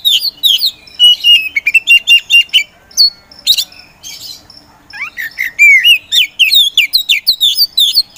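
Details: Oriental magpie-robin, poci variety, kept as a competition songbird, pouring out rapid chattering song. Dense bursts of harsh clicks and whistles are broken by a short lull, followed by a bright tumbling phrase of rising and falling whistles.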